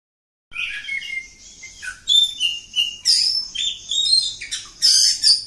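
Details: Oriental magpie-robin of a village type in long continuous song, with varied whistled phrases, slurred rising and falling notes and sharp high bursts following one another without break.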